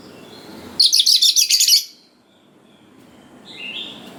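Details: Lively singing Oriental magpie-robin, a basic lure song meant to rouse young wild birds to reply. A one-second burst of fast, scratchy high chatter, then quiet and a faint rising whistle at the end.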